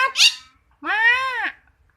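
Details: Caged black starling kept by a Quran teacher, imitating human speech and other birds' songs: a short bright squeak, then a long harmonic-rich vocal sound arching up and down like a drawn-out human syllable, indoors.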